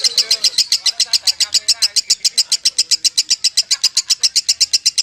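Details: Long ngekek song from a Kusumo lovebird: evenly spaced, piercing high chips rattled off in a steady rhythm, around six each second, with a faint low hum behind.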